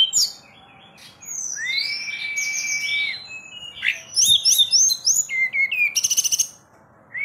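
A forktail sings a long, level whistle, then a rapid jumble of thin, high whistles and buzzy trills over faint background hiss.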